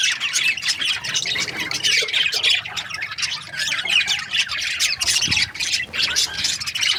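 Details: Several budgerigars from breeding pairs chirp together in a continuous, noisy chorus of harsh squawks and rapid twittering notes.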